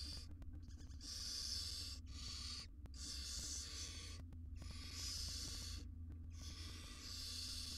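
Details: Wild barn owls, a mother grooming her tiny chicks inside a monitored nest box: four drawn-out, breathy screeching hisses with brief pauses between them, backed by a continuous low droning hum.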